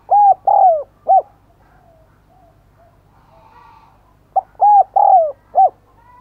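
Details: Decoy spotted dove cooing to lure others: one hollow four-note coo phrase, a pause of about three seconds with faint soft notes, then the same phrase repeated, each with a longer downslurred coo inside.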